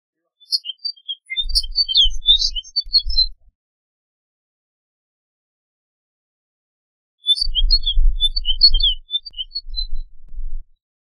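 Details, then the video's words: Snow bunting singing: two bursts of quick, high twittering and warbled chirps, each lasting about three seconds with a pause between, over low rumbling background noise. "Snow Bunting Song! Snow Bunting Call! - Escribano Nival Canto"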